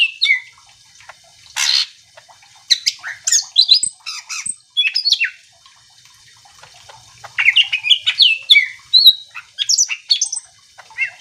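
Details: Greater green leafbird in vigorous full song, used to rile other leafbirds into answering: a rich, fast jumble of sharp chirps, squawky notes and slurred whistles in bursts separated by short pauses.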